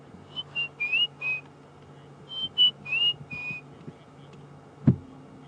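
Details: White-browed Scrub Robin sings at twilight just after sunset on an African safari drive, 15 June 2015: two short phrases of four clear, high whistled notes, some slurred upward, about two seconds apart, with a soft thump near the end.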